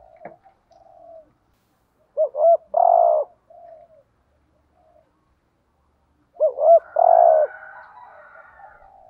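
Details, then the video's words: Caged lure spotted dove cooing: a looping two-part lead-in then a thick drawn-out coo, two phrases about four seconds apart, soft trailing coos between them and a faint higher call at the end. "chim cu gáy thúc gù/ chim cu gáy mồi có giọng bài bản/ cu đất thúc gù"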